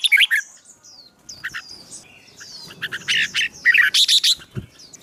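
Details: Songbird in fighting-song training, a wild-caught bird being fired up; busy mix of high thin whistles and harsh chattering bursts, loudest near the end.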